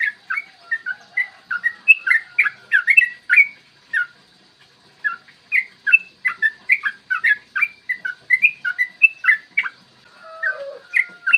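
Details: Yellow-vented bulbul song used to provoke other birds to sing and fight, clear morning recording with long rolling phrases: rapid run of short whistled notes rising and falling between mid and high pitch, with brief pauses and a lower warble near the end.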